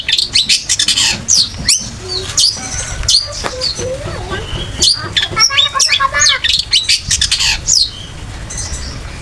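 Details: Long-tailed shrike singing as a training master for other birds: quick varied phrases of shrill whistles, rattling trills and lower chattering notes, shifting constantly in pitch.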